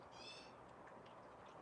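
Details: A magpie, likely the parent warning its fledged young away from a person, gives a single harsh, nasal, rasping note of about half a second, then only steady background hiss; near an eagle nest, cool 60F day after mid-90s heat.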